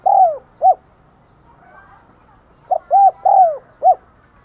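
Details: Spotted dove kept as a decoy to lure wild doves, cooing two phrases: a long slurred coo and a short note, then after a pause a brisk sequence of short and drawn-out hollow coos.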